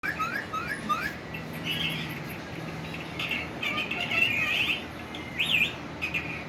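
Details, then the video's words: Green ringneck parrot kept as a pet, possibly caged, giving a run of short squeaky chirps that rise and fall, then sustained warbled, chattering notes through the middle and end, with a faint low hum behind. "my cute green parrot talking"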